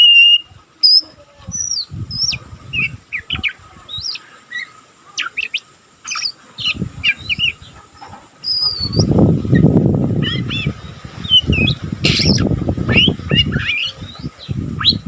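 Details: Young oriental magpie-robin still learning to sing, giving continuous ngeriwik twittering: scattered short high chirps and slurred notes, some sharp and upswept, with bursts of low rumbling noise in the middle.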